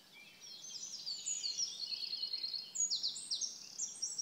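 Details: Eurasian wren in song at PP Březinka, Náchod-Běloves, 5 June 2016, pouring out a shrill, very fast string of trills and clipped notes that rises in loudness toward the end; background otherwise still.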